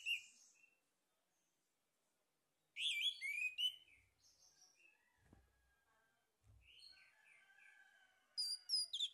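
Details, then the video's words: Male orange-headed thrush used as a singing lure: bursts of rich, varied whistled and warbled phrases, some bright and high, separated by pauses, with a softer rambling warble in between. "PANCINGAN ANIS MERAH JANTAN PALING POPULER"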